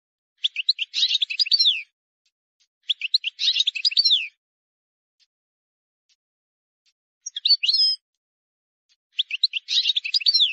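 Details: Wild goldfinch delivering a clean song for young birds to learn: four twittering phrases of about one to two seconds each, full of rapid chirps and slurred notes, repeated roughly every two and a half seconds, quiet surroundings.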